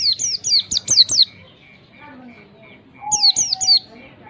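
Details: Oriental white-eye singing in the ngalas style, a long standard song used as a lure to teach other birds: two bursts of rapid, high, descending whistled notes, with faint murmured voices and a steady thin tone between.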